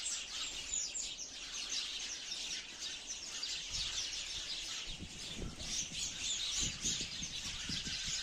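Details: Many sparrows give quick, high tweets in a busy chatter. Some low thumps and knocks sound partway through.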